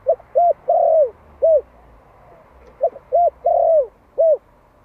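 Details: One-year-old Malai spotted dove calling as a decoy in Vietnam to bring in wild doves: two evenly paced phrases, each with brief hollow coos bracketing a longer, falling middle coo.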